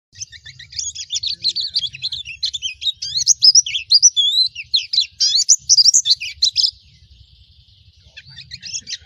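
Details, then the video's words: Pleci Baduy white-eye pouring out a fast, high, twittering song of tightly packed warbled notes for about seven seconds, then a short pause before it resumes; a faint low hum runs underneath. "Pleci Mana Yang Tidak Merespon Mendengarkan Suara Pleci Baduy"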